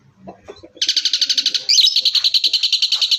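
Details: Asian pied starling, locally jalak suren, bursting into its full-shot song after soft low sounds: a rapid series of loud buzzy pulses, then a brief twisting whistle and continued fast high chatter.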